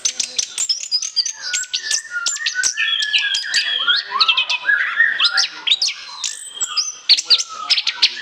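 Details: Orange-headed thrush, full chattering song meant as a lure: long, varied medley of whistles, buzzy notes and lower warbled phrases, with hardly a break over several seconds.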